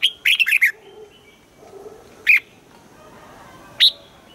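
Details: Red-whiskered bulbul in morning song training for the double-note 'old forest' style: a fast warbled phrase of five notes opens, followed by two isolated sharp chirps a second or more apart.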